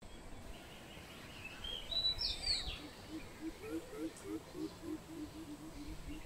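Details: Greater coucal recorded 16 April 2020: a series of low, hollow hoots repeated about three times a second in the second half, with a brief higher chirp from another bird just before and a steady background hiss.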